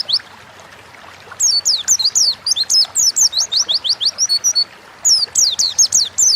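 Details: Pleci, the Oriental white-eye, a caged songbird in energetic 'ngalas' song meant as a lure to get birds singing; after a quiet start, long run of sharp, high descending whistled notes, briefly pausing, then resuming.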